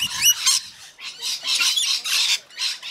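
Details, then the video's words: Rainbow lorikeets while feeding give raspy, hissing screeches, about five broad bursts over three seconds, rough and noisy rather than tonal. "Rainbow Lorikeets feeding"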